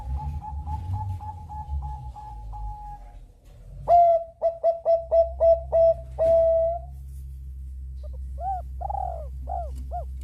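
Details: Singing Bangkok zebra dove drawing other birds to answer. A quick, evenly spaced string of soft notes gives way to loud, fast, clipped coos, then distant arched coos over a steady low hum.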